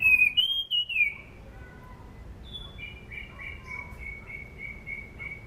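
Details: An anis cendana thrush, used to lure birds in training, gives a loud whistled downslurred phrase, then a run of softer level whistles.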